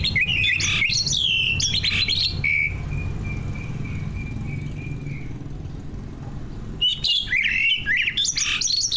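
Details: Competition greater green leafbirds kept caged, singing mimicry-rich song as a lure for other birds: bursts of bright rapid whistles and chirps, a long thin sustained whistle between, then another lively burst, low hum behind.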